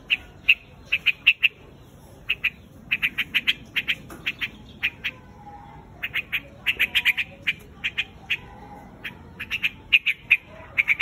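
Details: A white-headed quạch mốc calling the flock with many sharp, bright chirps delivered in loose clusters of two to five, continuing steadily with brief pauses throughout.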